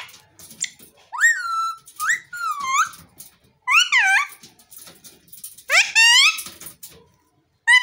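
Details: Green parrot talking in a string of short, bright notes, each rising sharply then dropping or leveling, grouped in bursts about every one to two seconds with quiet gaps and faint clicks.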